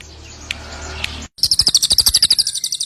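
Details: Cililin bird: after a second of faint background hiss and two soft clicks, a loud, rapid series of high chirps runs steadily to the end, roughly eight notes a second.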